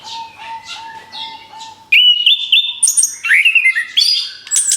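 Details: Orange-headed thrush song, used to lure other birds: a faint soft start with a steady low whistle, then an abrupt loud burst of varied whistles and rising slurred notes.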